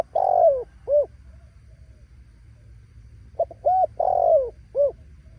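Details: Spotted dove giving a decoy-style voice said to provoke wild doves into loud cooing: two groups of deep, mellow coos, each a quick short note, a longer drawn-out falling coo and a final rounded note, separated by a pause.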